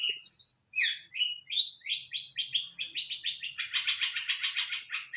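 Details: Long-tailed shrike in an active bout of song, fast varied warbling notes sliding up and down, speeding into a rapid stuttering chatter.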